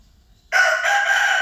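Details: Rooster crowing: after half a second of quiet, a loud, harsh, strained crow bursts in and holds steady with a slight break midway, still going at the end.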